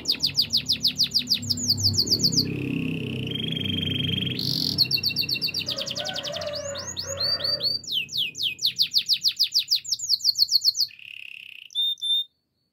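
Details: Singing canary, used in training: alternating rapid trills, held tones, softer lower notes and repeated falling sweeps, ending in high clear tones, with some low background rumble.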